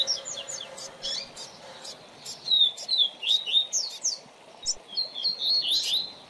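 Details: Double-collared seedeater (coleiro or papa-capim) tutor song used to teach a young bird, with bursts of quick, high chirped and slurred notes, some sharp downward strokes and short trills, broken by brief pauses.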